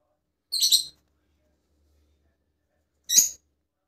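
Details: Rosella of one of several colour mutations giving two short, harsh, high-pitched chirps about two and a half seconds apart, with silence between them.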